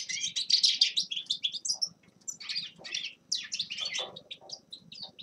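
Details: Grey-crowned goldfinch with lively, scratchy twittering phrases in quick bursts, over a faint low background hum.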